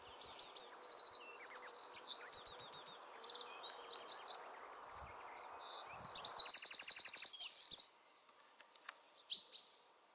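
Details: In a small mountain spot, a very territorial Eurasian wren pours out a loud, high, rapid song of trills and chattering rattles for about eight seconds over a steady low rushing background.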